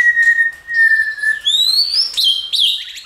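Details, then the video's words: White-rumped shama singing for song training, meant to excite other shamas: a long steady whistle followed by higher rising and falling clear notes and sharp slurs. "Kích Lửa Chòe lửa hót.,Kích Căng lửa.chòe lửa đánh đuôi kích cực nhạy❣luyện chòe lửa hót hay"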